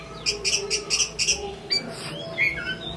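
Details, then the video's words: Chinese hwamei singing well, a bird offered for sale in Hai Phong: a rapid series of bright high chirped notes, then a few varied whistled phrases and a short slurred whistle. "Họa mi hót tốt"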